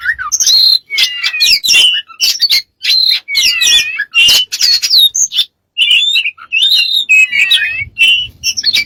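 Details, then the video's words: A bird delivering a dense, continuous medley of chirps, whistles and squawky notes, some rising or falling, with few pauses. "smart bird have lost of strange sounds"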